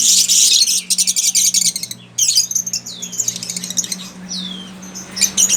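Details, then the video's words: Lovebird calling with fast, shrill chirps and a few sweeping squeaks, delivered in quick bursts over a steady low hum. "Burung lovebird"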